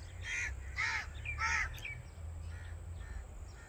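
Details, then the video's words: Common myna, also called Indian myna, giving three loud, harsh, harmonic notes in quick succession over a low steady rumble of background noise. "Common Myna Bird Song | Common Myna Sound | Common Myna Call | Indian Mynah Sound | Myna Singing"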